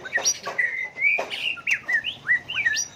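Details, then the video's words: Singing white-rumped shama, its song meant to spur birds into song contests: a sharp opening chirp, then long slurred whistles and rising and falling notes that change pattern every fraction of a second. "chòe lửa hót hay, nhiều giọng, đảo giọng liên tục, kích chim hót đấu"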